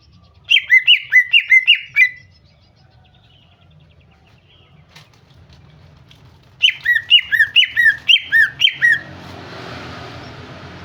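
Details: Greater green leafbird female calling to prompt a male to sing, in two bursts of about six quick, downslurred chirps each, separated by several seconds of near silence, ending in a rush of broad hissing noise.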